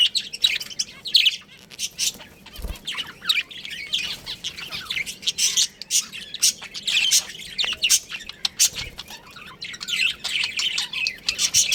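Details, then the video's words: Pet budgerigars in a colony with a breeding pair, chattering steadily: overlapping high chirps, squeaks and short warbles from several birds throughout, with brief squawks. "Adorable Budgies Chirping Sounds"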